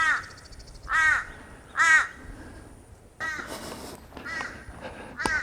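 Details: Torresian crow calling in the background one morning at Buckleys Hole lake, Bribie Island near Brisbane, Australia: harsh, nasal caws, several loud calls about a second apart, then fainter calls, with a man speaking quietly.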